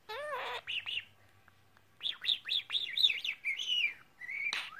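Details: A pet bird at home chatters in its own language: a short harmonic squawk, then a run of rising and falling whistled chirps near two to four kilohertz, some slurred, ending in a sharp upward note, with a faint low hum.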